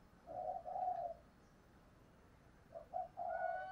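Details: Female spotted dove, 'thổ đồng' voice style, used to attract wild males: two bursts of low, rolling coo notes separated by a quiet pause, over a steady background hiss.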